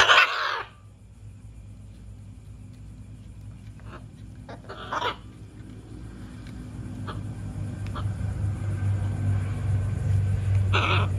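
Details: Hormonal pet macaw indoors letting out a loud harsh squawk at the start, then a shorter one around five seconds and a final rasp at the end, with quiet gaps and a rising low mechanical hum.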